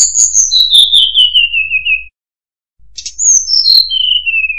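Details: Murai buluh song: a long falling series of thin, sweet whistled notes sliding lower step by step, a pause, then a second similar descending cascade, faintly trilled at its start.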